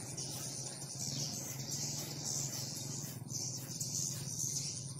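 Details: Swiftlets crowd a swiftlet house after renovation. A constant wash of high, shrill chirping pulses in waves over a low mechanical drone, with brief speech at the end.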